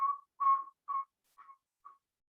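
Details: Northern saw-whet owl (Aegolius acadicus) whistle call: five mellow, even-pitched whistled toots about two per second, each note fainter than the last.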